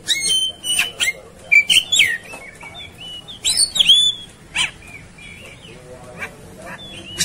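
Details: Agitated Oriental magpie-robin in fighting mood: bright whistled notes and quick slurred phrases broken by scratchy bursts, louder in the first four seconds then softer scattered whistles, with other birds calling around it.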